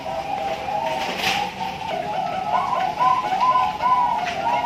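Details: Perkutut Bangkok, a zebra dove bred at a farm in Pasuruan, East Java, Indonesia, hatched August 2023, delivering 'suara lelah ujung panjang' song: continuous mellow rolling coos, repeated rapidly and overlapping, with a faint hiss behind.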